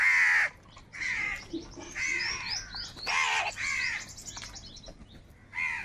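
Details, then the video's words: Crows fighting for food with loud angry caws, several overlapping harsh calls mixed with high chirping of other small birds. "Crow Birds Unity Anger and Sound | All types of Crow Sounds | কাকের ডাক Crow Sound Loudly"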